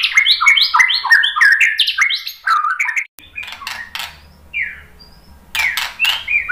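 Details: [8, 'Singing white-rumped shama, used as a lure to provoke other birds to answer: about three seconds of rapid repeated slurred whistles in a rolling sequence, then quieter clicks and isolated whistled notes.']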